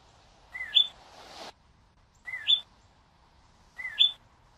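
Cardinal giving a short two-note phrase, a slurred whistle then a higher note, repeated three times about every second and a half. A brief rush of noise follows the first phrase.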